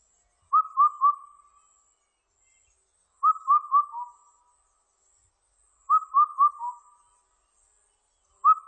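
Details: Repeated Indian cuckoo song from 2020: phrases of four mellow whistles, the final one lower, spaced roughly 2.7 seconds apart, three full phrases and the start of a fourth, over a faint high insect drone.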